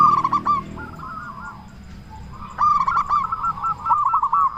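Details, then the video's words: Local zebra dove with a big, frequent voice, used to prompt other doves to sing; bursts of rapid clipped notes followed by a soft rolling coo near one pitch, with a quieter pause midway. "Perkutut Lokal Gacor Suara Besar Pancingan Burung Perkutut Agar Cepat Bunyi"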